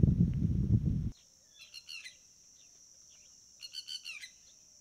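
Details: Red-wattled lapwing (Vanellus indicus), Indian subcontinent, gives two quick bursts of sharp, strident notes, three or four each; a second of loud low rumble opens, with a steady thin whine throughout.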